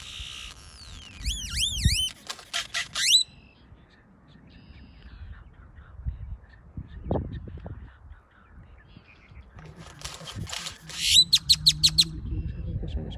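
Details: Great-tailed grackle producing wavering, looping high whistles that swoop up and down, then dry rattles. After a long lull of low background rumble, a second rattling burst ends in a fast run of sharp repeated clicks.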